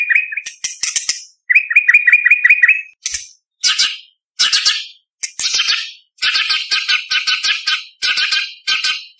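White-rumped shama in loud, varied song: a fast run of repeated mid-pitched chirps, then harsh, high rattling bursts in quick, separate phrases.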